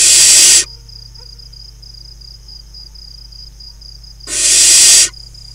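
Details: Barn owl young, five left from eight hatched eggs, playing in a farmland nest box, Hula Valley, northern Israel, June 2020; two isolated breathy hisses about four seconds apart, a high steady insect whine filling the quiet.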